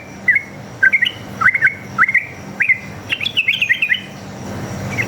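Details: Combative wild sooty-headed bulbul singing 'ropel' style to make other bulbuls call back: separated rising and falling whistles, then a quick bubbly cluster of higher notes, fading at the end.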